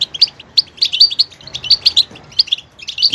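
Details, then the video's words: Goldfinch song made of quick, clear chirps and tinkling twitters repeated in a fast, bouncy rhythm, several notes every half second, against near silence. "motivational ringtones that will take you on a journey with goldfinch"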